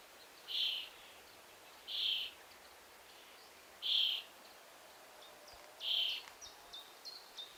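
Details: Young common starling at the nest hole waiting to be fed by its parents, giving short hoarse high-pitched calls roughly every one and a half seconds, four clear calls followed by fainter scratchy notes.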